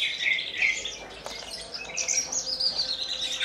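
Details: Horsfield's bush lark, a caged bird from Kulon Progo known for Jambul-style song with quivering wings, giving a short burst of varied whistled and squeaky notes, some sliding downward, then rising and falling high twitters.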